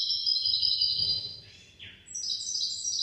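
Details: Hybrid of goldfinch and canary, hafada and daniya song for tutoring other birds: shrill sustained trill, a brief dip with a lower descending note near the middle, then bright high twittering resumes over soft background hum.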